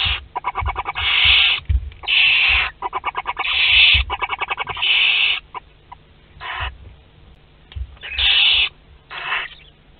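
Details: Western barn owl nest box at Théding, 22 August 2021, during the hatching of a second brood: loud breathy hisses alternating with fast runs of sharp clicks, some dull bumps below.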